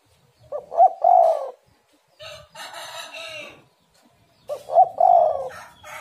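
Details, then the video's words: Spotted dove song used as a lure for kept birds: a stuttered coo with a rolling end, then a rooster's crow, then another dove phrase about four seconds after the first. "tekukur super gacor suara pancingan burung galau"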